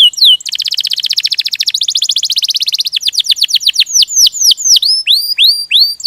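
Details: Rolling canary song called ngerol gacor: a long, rapid buzzing trill in two runs, then descending whistled sweeps and finally clear upslurred notes repeated about twice a second.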